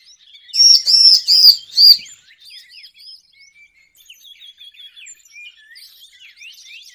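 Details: Bar-winged prinia calls used as a trapping lure: four loud, ringing, harmonic chirps in the first two seconds, followed by a quieter run of quick, scratchy twittering notes that continue to the end.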